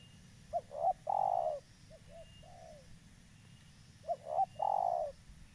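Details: Local spotted dove calling, used as a lure for trapping birds: two bursts of soft mid-pitched cooing, each a pair of short rising notes followed by a longer drawn-out coo, with a quieter fragment in between, over low rumbling background.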